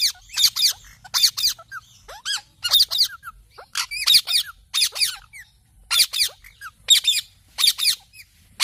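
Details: Talking pet parrot giving loud, grating screeches in quick succession, mostly doubled notes with short squeaky chirps between them, repeated roughly every second in a quiet indoor setting.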